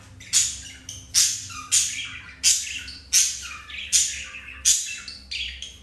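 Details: Pet budgerigars mating indoors, a green male mounting a female after a white-grey female rejected him; sharp, harsh chirps repeated in bursts roughly every 0.7 seconds, steady low hum beneath.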